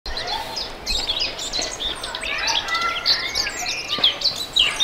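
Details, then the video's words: European robin singing with passion, a run of thin high warbled phrases and short sweeping whistles mixed with twittering notes, with fainter birds in the background and a soft outdoor hiss. "Robin singing with passion | Robin Bird Song"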